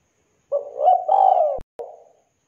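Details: A clear, thick-voiced spotted dove (tekukur) calling in the 'kuk 2' style: a single low mellow coo, brief opening note then a drawn-out falling hoot, cut by a sharp click and a short trailing murmur.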